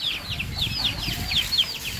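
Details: Chicks being raised on a farm: a rapid series of high, thin peeps, each sliding downward, repeating several times a second with slight irregular spacing, over a low background rumble.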